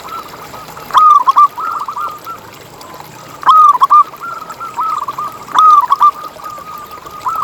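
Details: Local zebra dove song played as a lure to keep other zebra doves singing: short bursts of quick, bubbling cooed notes about every two and a half seconds, over a softer background chorus of similar rolling coos.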